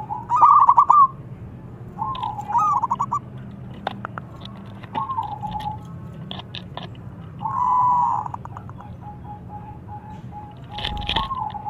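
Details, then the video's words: Young local zebra dove used as a lure for other doves, singing a lot in a thick voice: short stuttering, rolling coo phrases repeated every two to three seconds, with scattered clicks and knocks between them. "ANAK PERKUTUT LOKAL GACOR SUARA TEBAL"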